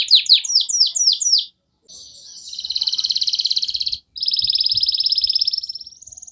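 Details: Canary song meant to stimulate other canaries: a burst of loud downslurred notes, a pause, then long fast rolling trills with a brief break between them.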